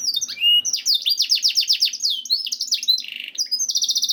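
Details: Canary song used to lure canaries into singing: a short buzzy note, then a fast rolling series of falling high syllables, ending in a dense buzzing trill.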